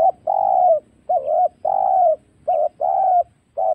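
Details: Spotted dove, wild, in a lure recording for trapping: a steady alternation of long, slightly descending coos and shorter clipped coos, six notes in under four seconds against a quiet background.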